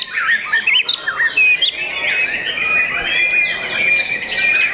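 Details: Young white-rumped shama of competition standard, caged, opening with fast jumbled chirps, then holding a long, thin, steady whistle with chatter around it.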